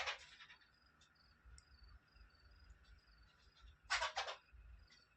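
Arabian babbler chicks give two bursts of harsh, rasping begging calls, at the start and near the end, over a steady background hum and faint high whistles.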